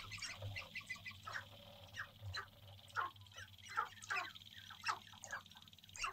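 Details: Male sharp-tailed grouse courting on a lek in central North Dakota in April 2021, just before sunrise: a busy chorus of short clucking and cackling bursts from several birds, roughly one a second, over a steady high hum and low rumble.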